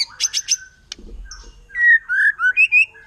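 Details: Brief 'nembak' phrase from a wild forest white-rumped shama, said to agitate other shamas: a few harsh buzzy notes, a low grating sound, then loud smooth whistles rising and falling in quick succession.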